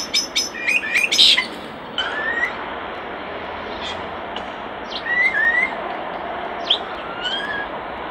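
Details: Common starling near its nest box, opening with fast dry clicks and a rattling burst, then sparse short whistled slurs and faint chips over soft background hiss.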